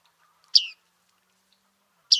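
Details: Bearded reedling recorded at Liepāja, Latvia, in July 2023; two sharp, metallic call notes that drop quickly in pitch, spaced about one and a half seconds apart, with near silence between them.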